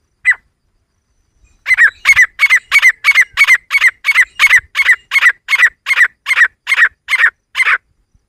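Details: Grey francolin (teetar) female, calling in a jungle setting used for hunting: one sharp note, then a fast run of about sixteen loud, harsh, evenly repeated notes, roughly three per second.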